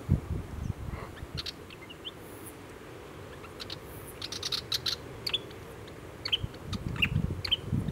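Willie wagtail giving short, sharp chattering ticks and brief high chirps at an irregular pace, over a steady low wind rumble.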